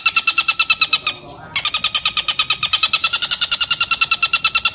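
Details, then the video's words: Long-tailed shrike in a clear-voiced training recording gives a fast run of bright, ringing notes, about six a second, with a brief break before the rapid series resumes. "MASTERAN TENGKEK BUTO | suara jernih"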